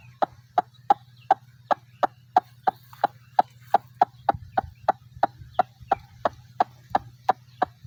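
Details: White-breasted waterhen in Bangladesh, a waterside bird: sharp clicking notes repeated about three times a second in a steady series over a low continuous hum.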